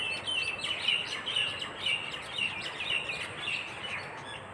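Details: At dawn beside a dewy village path in Bangladesh, a flock of birds chirps; short bright notes repeated roughly twice a second over a chorus of softer twittering and steady hiss.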